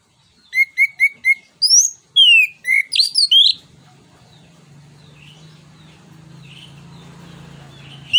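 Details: Orange-headed thrush (punglor kembang) song used as a lure: four evenly spaced short whistles, then loud sweeping downslurred notes, followed by quiet background hum and faint distant chirps.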